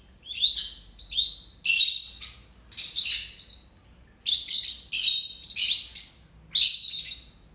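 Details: Two pet lovebirds give shrill, scratchy chirps and squeaky chatter in bursts, about one every second, high-pitched and harsh, with short pauses between.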